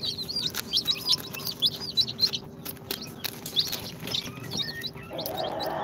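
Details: Day-two chicks from an incubator, Sultan, Golden Sebright, Cochin and booted breeds, giving a rapid run of high wavering peeps at first, then scattered single chirps, with a rustling low noise rising at the end.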